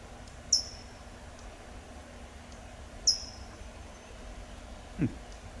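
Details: A California towhee gives its standard loud chip: two sharp, high, metallic, downward-slurred notes about two and a half seconds apart, over soft hiss and a faint low thump.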